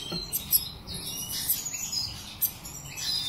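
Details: Black siskin giving high, thin twittering song: short bright chirps and brief trilled notes scattered over three seconds, some sharper accented notes, against a soft low background hiss.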